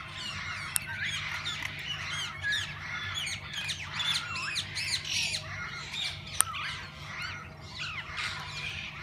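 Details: Parakeets of several kinds in a parrot zoo's walk-in aviary open to visitors who feed and hold them. Warbling, chattering squawks with rising and falling notes overlap steadily, broken by a sharp click near six seconds, over low hum.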